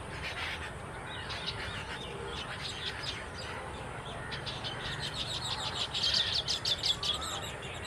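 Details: Baya weavers calling as a flock: a busy stream of short high chirps and twitters, thickening toward the end, over steady low rumbling background noise.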